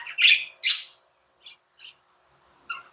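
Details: Pet budgies indoors giving two loud harsh squawks followed by a few quieter, widely spaced chirps.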